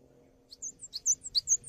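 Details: Cinereous tit singing, played as tutor audio for training songbirds: a brief, soft series of high thin whistles alternating lower rising notes and higher flat ones, over faint low hum.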